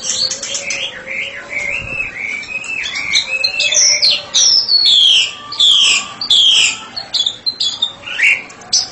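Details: White-rumped shama in open song: wavering mid-pitched warbles give way to loud, ringing downward whistles repeated in a steady series, with a faint low steady tone underneath.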